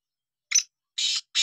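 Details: Black francolin, known locally as kala, sindhi or desi teetar, giving three short harsh rasping notes: a brief scratchy opener, then two longer buzzy bursts in quick succession against a quiet background.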